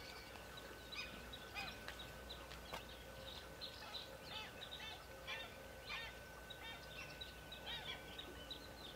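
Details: Black-winged stilts at the mouth of the Soča on 19 April 2022 give sharp, nasal yelping notes in quick, irregular bursts, several overlapping, over a steady low hum and background noise.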